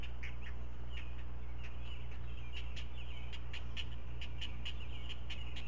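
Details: Begging from four Great Blue Heron nestlings at a Chesapeake nest camera on 16 May 2017 at breakfast, parent bringing up fish one by one; fast regular ticking clicks mixed with brief whiny notes, low hum throughout.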